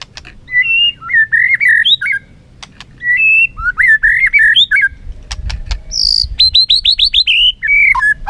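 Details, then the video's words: White-rumped shama singing competitively while flicking its tail: loud, varied whistled phrases with rising and falling slurs, quick chattery notes and a bright run of rapid rising whistles near the end, a few sharp clicks between phrases. "Chòe lửa hót đấu, đập đuôi cực hay."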